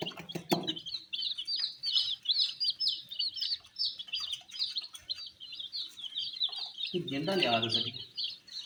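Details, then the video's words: Colored baby chicks eating wheat keep up fast, high, downslurred peeps, about three per second from many birds together, with sharp taps at the start and a low rumbling sound near the end. "Colors MURGI baby Chicks are eating "wheat Challenge" with "Chicks Chirping" Sounds"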